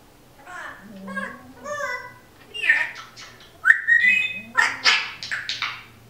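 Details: Female Timneh African grey kept at home mimicking talk: low muttered syllables build into louder bright phrases with a sharp rising whistle mid-way, while a dog's snoring hums steadily in the background.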